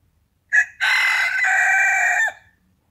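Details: A rooster lets out a brief opening note, then a loud, harsh, sustained crow of about one and a half seconds.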